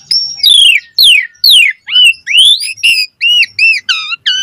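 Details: Asian pied starling in varied song used to spur other starlings, made of repeated steeply falling whistles, then upward-curving slurs and a regular series of arched, ringing notes roughly every third of a second.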